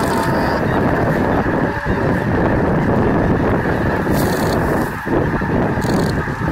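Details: Large flock of snow geese flying in to land at Bosque del Apache National Wildlife Refuge on 7 December 2017: a constant dense clamour of honking voices blended with strong wind noise.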